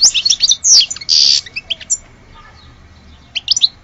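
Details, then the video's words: Goldfinch, described as the true bird of Alge, giving short bursts of sharp chirps and a nasal buzzy note early on, a long pause, then a brief twittering return near the end. "Le vrai chardoneret de Alge"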